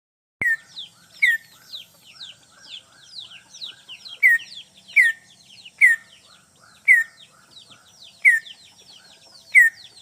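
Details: Greater green leafbird used as a lure bird, calling to a rival: a loud downslurred note near the low end of its range every second or so, interleaved with fast twittering, varied chirps and high sweeps.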